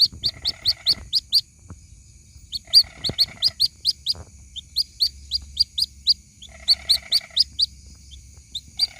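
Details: White-breasted waterhen chick calling to its mother, used as a lure: rapid high piping chirps in clusters with short pauses, with a lower raspy pulsed trill coming in three times beneath them.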